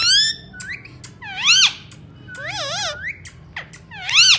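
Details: Talking Indian ringneck parakeet with shrill, buzzy speech-like bursts. Warbling wavy syllables alternate with brief sharp clicks and quiet gaps, and a loud rasping phrase closes the clip.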